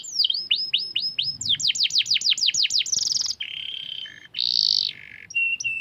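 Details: Canary in full song, a caged bird, delivering quick downward-swept whistles, a run of repeated falling notes, then buzzy sustained tones and short rolled phrases.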